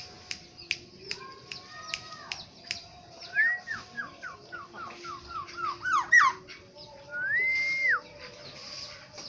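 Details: Black-naped oriole from Aceh: sharp ticking clicks and a flat whistle, then a long series of quick repeated downslurred whistles, roughly four per second, ending with a long arched fluty whistle over a low hum.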